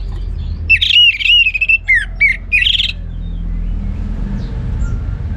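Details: Orange-headed thrush, a kept bird, singing in northern Bali, Singaraja: clear whistled phrases with slurred rising and falling notes around mid-high pitch, a brief burst then quiet, with low background rumble.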